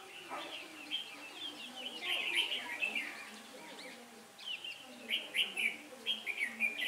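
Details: Red-whiskered bulbul decoy in song at a trap, 15 October 2017 with shifting wind; long runs of lively whistled, slurred phrases, briefly pausing midway before resuming in quick repeated bursts.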